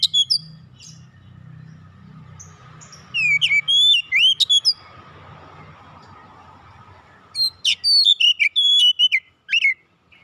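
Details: Oriental magpie-robin calling to companions: bursts of sweet whistled notes, sharp rising and falling sweeps and chirps in two spells, over a steady low hum and rumble that stops partway through.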